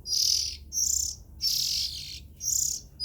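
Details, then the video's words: Four harsh, breathy hisses from oriental magpie-robin young, each about half a second, over a low background rumble. "Tiếng Chim Chích Chòe Than Non Kêu Hay Nhất"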